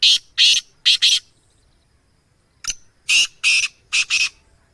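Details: Black francolin (kala teetar) of a rare Gangas Sheedi breed gives loud scratchy notes: a fast triplet, a short pause, then a grating phrase of about five harsh buzzy syllables. Quiet background.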